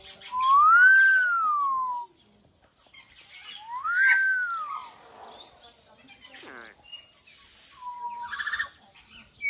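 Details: Captive common hill myna said to speak the word "Allah": two loud arched whistled phrases, each rising then gliding down, about three seconds apart, with softer rasping and chattering notes between them.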